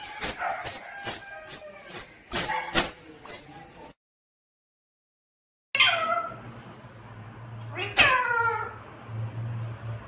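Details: Pet talking parrot in a room: a run of about eight sharp, high, clipped whistles at an even pace, then silence, then two longer downward-sliding wavering calls over a faint hum.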